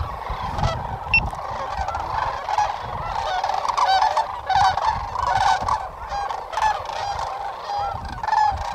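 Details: Sandhill cranes at Whitewater Draw Wildlife Area near McNeal, Arizona, on 19 January 2023: a dense flock chorus of rolling, trumpeting calls overlapping throughout, with a brief high note from another bird near the start.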